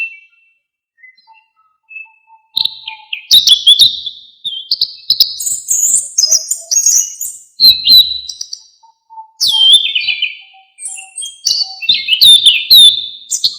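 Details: Orange-headed thrush, used as a tutor recording for songbirds: soft low notes at first, then bursts of loud high varied whistling and chattering phrases separated by brief pauses.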